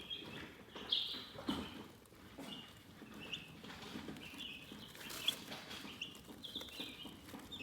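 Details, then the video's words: Soothing chicken chirping, sparse high peeps rising now and then above a bed of soft rustling and scratching. "Chicken Relaxing Soothing Chirping Sounds"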